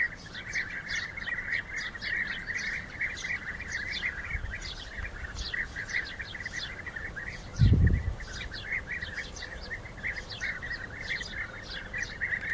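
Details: Rival European bee-eaters fighting keep up a long, dense chorus of rolling trilled calls with many high chirps layered over it, interrupted by one brief loud low thump.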